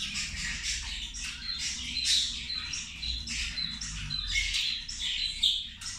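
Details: Zebra finches during feeding, a chattering group: dense nasal beeps and short metallic squeaks piling over one another almost without pause, over a low steady background rumble.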